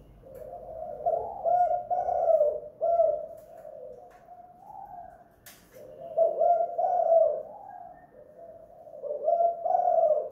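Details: Spotted dove (derkuku) at home in a pikat lure sequence, two-kuk hanging guk style: three clustered bursts of throaty cooing separated by quieter gaps, and one sharp click midway.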